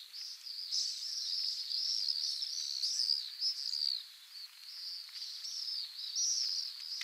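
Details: Pacific swifts at a breeding site in Mongolia give shrill, buzzy screaming trills that overlap almost without pause, as if several birds are calling together.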